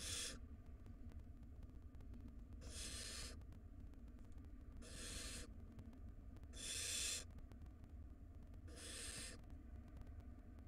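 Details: Barn owl chicks in a wild nest box being fed by their mother; five harsh hissing screeches spaced roughly two seconds apart, with low hum throughout.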